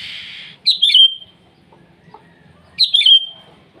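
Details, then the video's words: Calling to rivals in the morning, a sooty-headed bulbul gives two quick, bubbly whistled phrases about two seconds apart, following a brief hiss, with a faint low hum behind. "Suara burung kutilang memanggil lawan di pagi hari"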